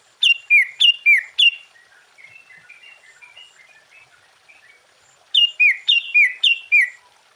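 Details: Sooty-headed bulbul in full-variation song, meant to stir other bulbuls: a run of five bright descending whistled notes, a stretch of soft varied twitters, then another fast series of six loud falling whistles.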